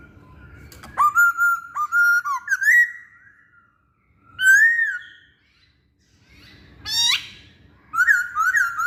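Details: Masked laughingthrush in full song, played as a lure for birds: a fast series of ringing whistles that bend upward, followed after short silences by a single arched whistle, a sharp rising note and a closing cluster of twisting whistles.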